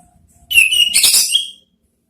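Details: A short ngeriwik-style phrase from an orange-headed thrush lure song meant to draw out ngeplong calls: one whistled note sliding downward, then a dense, scratchy burst of chattering notes ending in a higher clear whistle.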